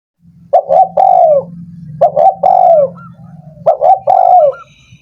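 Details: Spotted dove call played to stimulate lazy doves that have stopped singing: hoarse cooing phrases, two quick notes then a long drawn coo with a falling tail, repeated three times over a steady low hum.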